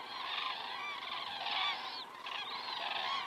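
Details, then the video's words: Common cranes flying over in the evening, recorded by a crane camera in Estonia on 19 September 2017 at 19:10; many overlapping trumpeting calls merge into a dense, continuous chorus that swells and fades. "cranes flying over"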